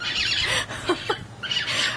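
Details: Pet cockatiel pair indoors in the morning while mating; harsh, raspy squawks in two bursts with a person's brief exclamation between, as the male's post-mating wolf whistle is awaited.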